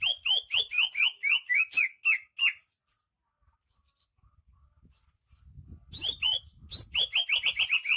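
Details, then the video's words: Rare greater green leafbird from Banyuwangi singing energetically: rapid series of loud whistled downslurred notes repeated about four per second, a pause with low background rumble, then another fast burst of similar notes. "Suara kicauan burung cucak ijo KTP Banyuwangi gacor"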